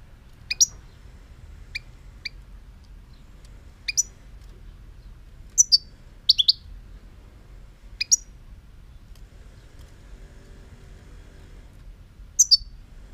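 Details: Sparse, high, sharp chirps from a European goldfinch, single or in quick pairs, separated by pauses of one to two seconds, with steady low background hum.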